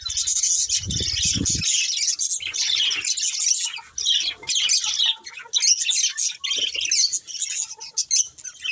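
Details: Budgerigar breeding pair in a colony: dense bright chirping and scratchy warbles run on continuously, with a brief low buzzing thud near the start.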